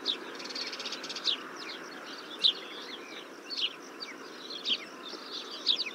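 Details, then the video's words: Desert finch (Rhodospiza obsoleta) song: brief, high, chirpy notes roughly once a second, with a soft twittering run at the start, over a steady background hiss. "Как поёт Буланый вьюрок?"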